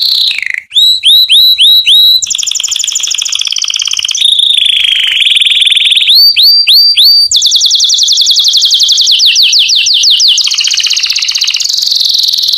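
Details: Loud canary song for teaching chicks: groups of swooping slurred whistles, steady high trills, and a run of quick descending sweeps, continuous throughout.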